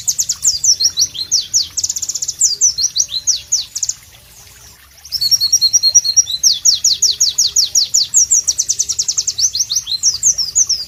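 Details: White-eye (pleci) in tropical ambience singing sharp, melodious phrases: fast high whistled notes, a one-second pause, then a tinkling jumbled passage leading into long rhythmic series of repeated downslurred chirps.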